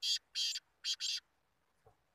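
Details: Black Francolin (kala teetar) calling during a two-bird competition, or muqabala. It gives four harsh, buzzy, grating notes in quick succession: two pairs, with the second pair tightly linked. A faint low thump follows.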